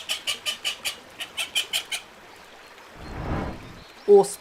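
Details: Little ducks peep in a quick, even series of about ten high notes, roughly five per second, then the calls stop, a low rushing noise swells, and a short louder note ends it.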